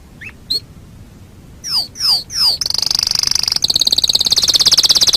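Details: Canary song from a master recording used to train birds: a few thin chips, three loud downslurred whistles, then a fast buzzy trill near the top of its range breaking into a rapid pulsed roll.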